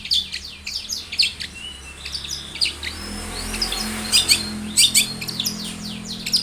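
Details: Long-tailed shrike singing a varied song for luring other shrikes into song: scattered high chirps, a short rising whistle, then sharp clustered notes, over a low steady hum.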